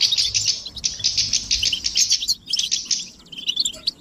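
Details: European goldfinches chirping together, mating calls meant to get a male singing: a bright, continuous, slightly harsh twittering with short rapid trills and a brief lull after halfway.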